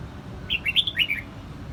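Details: One lively whistled phrase from a red-whiskered bulbul in Quang Nam, Vietnam: five or six quick notes bouncing up and down, loud and clear over quiet low background noise.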